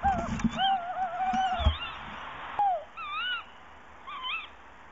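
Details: Tawny owls on 12 March 2018 at 05:48, the female in a nest box and the male calling outside, with a long quavering hoot, a brief falling note and shorter wavering notes over low rumble.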